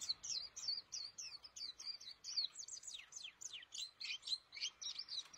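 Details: Pleci, a white-eye kept in a cage in Indonesia, in full active song: a fast, bright, high-pitched chatter of clipped whistled notes and twittering slurs, delivered in quick bursts several times a second against a quiet background.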